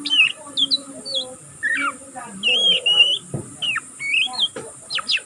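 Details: Juvenile oriental magpie-robin practising continuous ngeriwik twitter: scattered whistled slurs, bent chirps and sharp clicks tumbling irregularly, with a faint low murmur and a constant high hiss.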